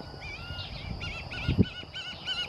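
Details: An adult White-tailed Hawk vocalizing on 13 December 2017 at the equestrian club of Zamorano University, Honduras. It gives a quick string of about six ringing, harmonic, arched notes, several per second, with continuous insect buzz and low thumps behind.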